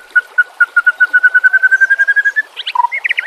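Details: Murai batu, the white-rumped shama, singing a training-master recording: a long series of about twenty clear whistled notes on one pitch, speeding up, then ending in a burst of higher twittering notes.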